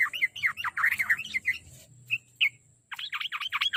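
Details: Lure song of the trucuk, or yellow-vented bulbul, to make a kept bird sing more: a jumbled rush of chirps, a brief gap with two lone notes, then another dense burst of steep chirps.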